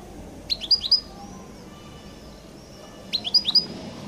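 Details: European goldfinch in the distinctive 'qal' song style, giving two short clusters of three or four sharp, high rising chirps about two and a half seconds apart over a quiet background.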